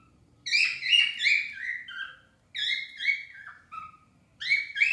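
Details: Singing pet cockatiels give three bursts of bright, descending warbled whistles, each phrase opening loud and rich then sliding lower and fading, with short silent gaps between.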